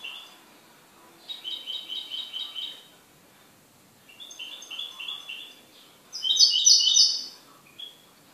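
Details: A household goldfinch delivers three separate bursts of fast, high chirping, each a quick run of bright notes, the last loudest and most buzzy, with brief silences in between.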